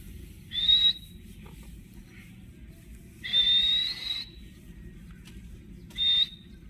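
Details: A talking ringneck parrot in a home with an Alexandrine parrot gives three piercing, level screeches, the middle one drawn out nearly a second, spaced about two and a half seconds apart.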